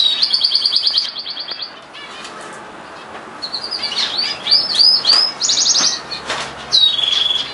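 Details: A canary (Serinus canaria) sings fast, high rattling trills, then a varied run of chirps, rolls and bright whistled notes, with no other sounds standing out.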